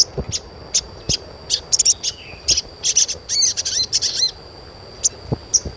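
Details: Asian pied starling chirps played to stimulate young captive starlings to become vocal quickly: irregular bursts of sharp, high chirps and clicks, with a few downward-slurred notes near the middle, over a steady high-pitched whine and low thumps.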